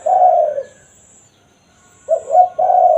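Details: Spotted dove lure call, natural 'kuk satu' style: the tail of one low falling coo, a pause, then a fresh phrase of short double notes sliding into a longer hoarse coo.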